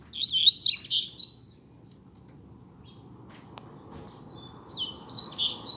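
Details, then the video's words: Caged double-collared seedeater in a singing contest, giving a fast burst of high, twittering, slurred notes, then a quiet pause before another chattering phrase starts. "Coleiro Disputa de Canto"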